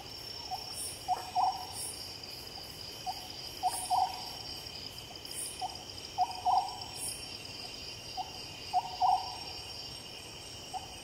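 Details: Oriental scops owl calling at night: short, hollow, low notes in small groups, repeated every couple of seconds over a steady high-pitched buzz of crickets.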